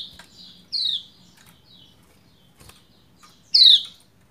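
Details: A female Lombok white-eye (pleci) calls to a male to get him singing: two sharp, high descending chirps about three seconds apart, with a few softer high notes between them.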